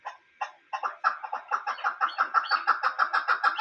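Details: A female chukar kept as a hunting bird calls in a rhythmic series. It starts with a few hesitant notes, then settles into loud, evenly spaced chuck notes, about five per second, that build steadily in strength.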